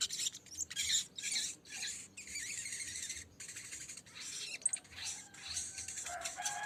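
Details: Lesser green leafbird, green form, singing to call a rival in a lure recording: dense, continuous, high warbling song of rapid twittering and scratchy phrases with brief pauses.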